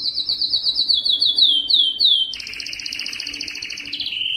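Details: Yellow canary singing a string of quick descending whistled notes, about four per second, then a fast rolling trill ending in a steady whistled tone.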